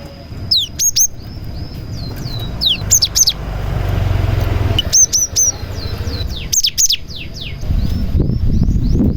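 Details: Cinereous tit in full song, its repertoire filled with prinia phrases, used as a lure to make other tits sing: bursts of high, sharp sweeping whistles and quick downslurred chirps in short clusters, with steady low rumble of traffic underneath.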